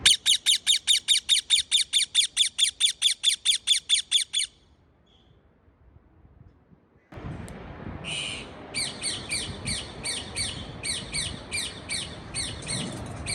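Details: Parakeet chirping: a fast, even run of sharp harsh chirps, about two every second, then a pause and a second bout of rapid buzzy chirps over a steady background hiss.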